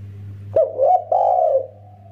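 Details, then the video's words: Spotted dove, male and female calling each other: three short mellow cooing notes, the last drawn out and falling, over a steady low hum. "Burung tekukur derkuku gacor klowor || suara rapat merdu mersik untuk panggilan jantan dan betina"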